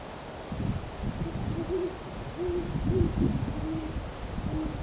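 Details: Owls calling on a cold night, about 7:15 pm on December 23, recorded handheld through a telephoto mic: a loose series of short, low hoots through the middle, over heavy low-pitched rumble and background hiss.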